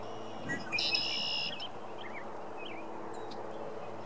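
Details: Red-winged blackbirds singing for a mate by a pond in Ohio, USA, on an April evening; one loud buzzy trilled note near the start, followed by softer short whistled chirps, over a steady low background hum.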